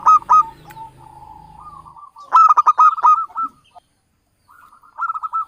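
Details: Local Javanese zebra dove song used as a trapping lure: loud clipped coo notes, soft rolling purrs, then a burst of staccato notes with brief silences between phrases.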